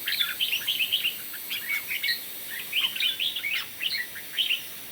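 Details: Red-whiskered bulbul in competition singing in the morning, a lively stream of short, bright, warbled whistled phrases with quick rising and falling notes, repeated in bursts over steady high-pitched background hiss.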